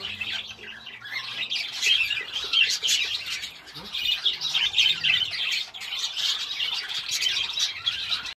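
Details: Young budgerigars, chicks now reaching the adult stage, chatter continuously with dense, scratchy warbles and sharp chirps. Recorded 15 September 2019.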